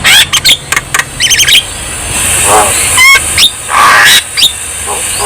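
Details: Javan myna singing in full voice, played as therapy to coax lazy mynas into singing: harsh rasping bursts mixed with quick rising and falling whistles and a short stuttering trill, with a steady high hiss behind.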